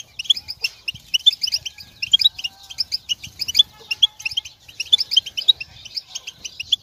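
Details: European goldfinch mating and readiness calls meant to push a silent moulting male to sing: a fast run of liquid, tinkling twitters in bursts, high and bright, with a faint low hum underneath.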